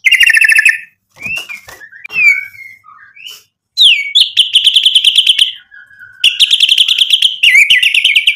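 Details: Singing white-rumped shama used to provoke rival birds: buzzy rapid trills alternate with soft sliding whistles and a long, steady, low whistled note, then more fast trilling.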